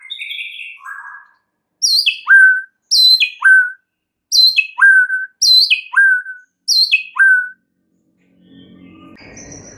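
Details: White-rumped shama song used as a lure to rouse other shamas: a brief lower warble, then a loud whistled phrase sweeping down from high to low, repeated six times about once a second, with faint low noise at the end.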